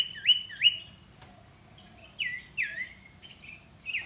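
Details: Iora being trained as an aggressive decoy bird: two sharp rising-then-falling whistles, a pause, then a cluster of down-slurred whistled notes and a final high whistle. A faint steady hum sits underneath.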